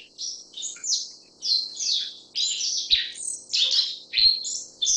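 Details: A Black-faced bunting (Emberiza spodocephala) gives high chirps and short buzzy slurs in bursts of roughly ninety a minute, with brief pauses between them. A soft steady hum and a few low clicks are heard.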